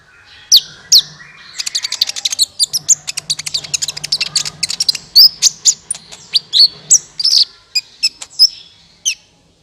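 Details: Sunbird lure recording used to attract birds for trapping: rapid high sharp chips and ticks with short thin whistled upslurs, dense and continuous, a faint low hum beneath.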